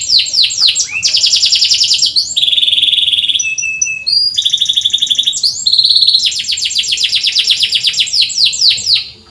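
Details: Canary tutor song for birds that rarely sing: quick high chattering trills, a buzzy lower section, then a short pause before renewed rolling trills that fade at the end.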